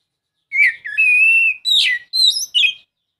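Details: Short Oriental magpie-robin phrase, a lure for a bird that will not sing: a sustained pure whistle, then a rough chirp and two quick rising high notes, in quiet surroundings.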